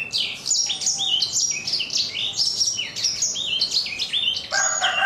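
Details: A black-throated canary aged four months delivers rapid, crunchy high chirps and sliding notes in dense bursts. Its rough "kriuk-kriuk" voice style is clear, and a lower harmonic tone enters near the end.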